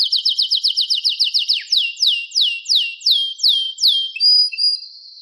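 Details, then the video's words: Canary song built from a fast series of downward-sweeping whistled notes that gradually slow and spread apart, ending in a short high whistle. "Wonderfull Canary Singing"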